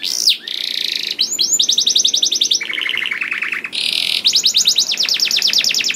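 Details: Canary pouring out 'gacor' song to stimulate other canaries to sing: a long sequence of rapid trilled rolls at changing pitches, one lower rolling phrase midway, and high buzzy notes between.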